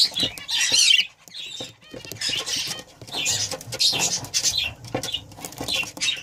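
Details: Breeding pair of budgerigars giving dense, scratchy warbling chatter in bursts, with clicks and raspy notes and short pauses between runs.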